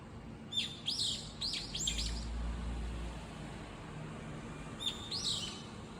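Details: A lone bird calling insistently while moving among several nearby spots; a quick run of rasping, high chirps, a pause, then another short burst, over low background hum.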